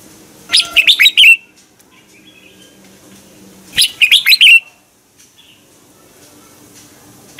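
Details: A red-whiskered bulbul sings a morning song used to coax other bulbuls into singing. Two lively, rolling phrases of quick whistles come about three seconds apart, followed by silence.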